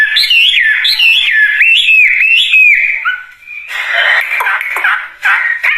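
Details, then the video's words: Wambie bird singing. Looping whistled phrases rise and fall between mid and high pitch for three seconds, then give way to a burst of harsher, scratchy chattering notes. "Kicauan Burung Wambie Gacor Dorr"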